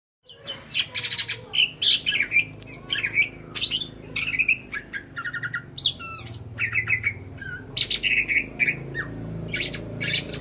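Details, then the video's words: Greater green leafbird, a kept songbird, singing loudly in a varied stream of whistled, slurred and chattering notes, with rapid buzzy trills and sharp high chips mixed between sweeping phrases. "burung cucak hijau (cucak ijo) gacor dor"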